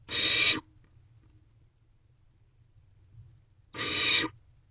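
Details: Barn owl owlets in a nest box at 2:17 am, one preening another, two harsh breathy hisses more than three seconds apart with near silence between.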